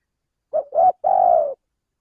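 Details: Spotted dove lure call from a male bird: two short coos, the second slightly longer, then an extended, steady, soft hoot that ends with a slight drop.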